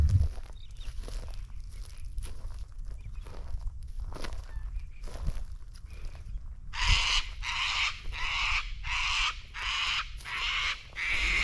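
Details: In Australia, a cockatoo gives harsh, raspy screeches, about seven drawn-out bursts in quick succession, after several seconds of quiet low rumble.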